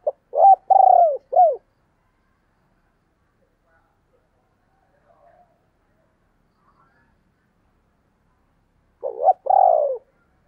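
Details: Spotted dove in 2022, thúc and gáy gọi calling: a quick burst of three short throaty coos at the start, about seven seconds of near silence, then another two-note coo phrase at the end.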